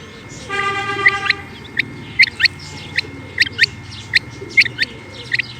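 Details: Calling female rain quail: sharp rising chirps in irregular pairs about every half second, preceded by a brief steady buzzing tone with layered overtones.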